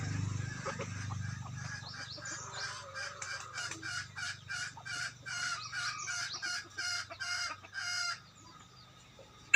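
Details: Decoy rooster used to draw birds to a trap utters a long run of about a dozen evenly spaced, bright, high notes over roughly five seconds, after a low rumble at the start.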